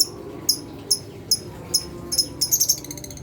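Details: Lovebird provoking calls for quiet lovebirds: high, piercing chirps repeated roughly every half second, quickening into a fast chattering run at the end, with low hum underneath.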